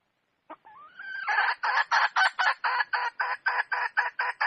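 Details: Red junglefowl hen calling: a brief click, then a short rising drawn note that breaks into a fast run of loud, harsh, broad clucks, about four per second, steady to the end.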